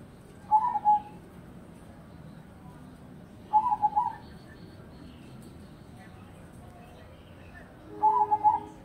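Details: Zebra dove song: three short bubbling, trilled coo phrases spaced about three to four seconds apart, soft and mid-pitched over a low steady hiss.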